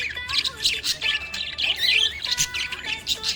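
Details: A happy budgerigar chirps in a rapid, continuous warble of scratchy, high twittering notes and short squawks, with a faint steady low tone running underneath.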